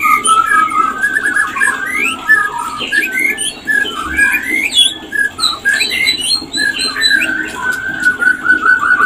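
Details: White-rumped shama mating call meant to trigger breeding readiness: a lively, continuous stream of rising and falling whistles, quick twitters and sharp high ticks, ending in a long, level whistled note.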